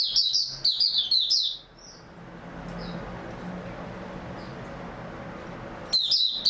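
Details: A white-eye (mata puteh), 3 March 2022, opens with a quick high chattering phrase, falls nearly silent apart from a few soft notes, then resumes twittering near the end.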